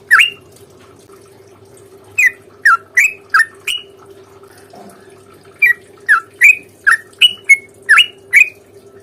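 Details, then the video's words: Sooty-headed bulbul in long fighting song meant to draw an answer: one chirp, a short pause, then a run of crisp rising and falling chirps, a longer gap and another quick series, over a constant low hum. "trucukan gacor tarung ROPEL PANJANG pancingan trucukan agar bunyi JADIKAN burung trucuk GACOR nyaut"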